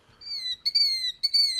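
Killdeer giving shrill, high, slightly falling notes: a faint first note, then two loud drawn-out cries about half a second apart, like 'kill-deeer'.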